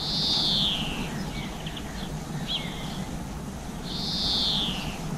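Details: Seed-eating garden birds (black-capped chickadee, blue tit, greenfinch) recorded on GoPro about 7 pm in April 2020; a pair of drawn-out buzzy notes falling in pitch, roughly four seconds apart, with faint twitters between.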